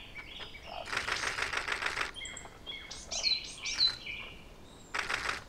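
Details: Eurasian wren (Troglodytes troglodytes) singing at Ōbora spring, Lake Yamanaka, on 21 April 2019: high, rapid whistled notes and thin trills, broken by short bursts of rushing, splashy noise.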